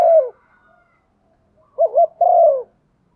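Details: Female spotted dove giving a stimulating coo used to lure wild males. The tail of one falling coo comes first, then after a pause a full phrase: two quick wavering notes and a long descending coo.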